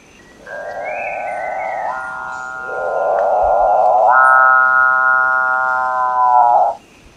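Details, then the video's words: A capuchinbird (Perissocephalus tricolor) gives one long, cow-like mooing song lasting about six seconds; the low, nasal drone steps up in pitch midway, then cuts off abruptly. "Canto do Maú Perissocephalus Tricolor"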